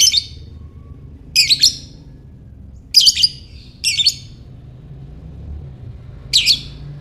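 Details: Ngekek chattering of a lovebird, intended to trigger other lovebirds: five harsh raspy chirrs at uneven gaps of one to two and a half seconds, with a low background rumble.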